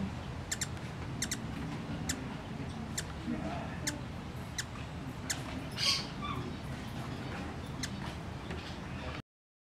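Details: A young male scintillant hummingbird in care, unable to fly after a window strike injured his wings, gives sharp, dry ticks, roughly one every second, with one louder buzzy chip midway, over a steady low rumble.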